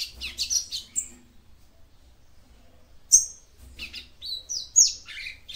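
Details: Calling female yellow-bellied seedeater, used to stimulate a male: clusters of quick, high, squeaky chirps and short whistled notes, separated by a pause of nearly two seconds.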